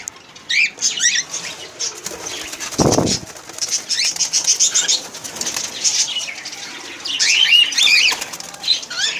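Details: Cockatiels in an aviary chatter with bright, rising chirps and scratchy whistles, broken by a brief burst of flapping wings.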